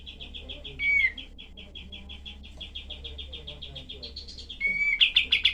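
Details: Rough 'tembak' song of a cream-vented bulbul, prized for dense, sharp shooting bursts and used to tutor other songbirds. Fast repeated high chips run on, interrupted by two short whistled slurs, ending in a louder, harsher flurry.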